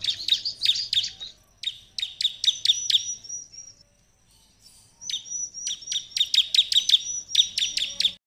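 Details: Ciblek singing in a loud, rapid burst of sharp high chirps and trills, with a long thin whistled note drawn out near the three-second mark, then a short pause before another energetic chattering run of repeated notes, used to provoke other ciblek into answering.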